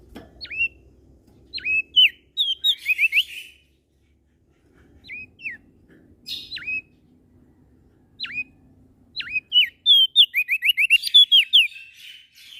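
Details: Prenjak daun (prinia) from Lombok, Nusa Tenggara Barat, an eager singer morning, noon and night: phrases open with hooked, down-slurred whistles and break into rapid twittering strings, repeated after short pauses; a faint low hum underneath.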